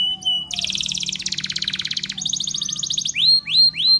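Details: Spanish Timbrado canary in training song: a thin whistle, then a long fast buzzy roll, a higher rattling trill, and three loud rising whistled sweeps.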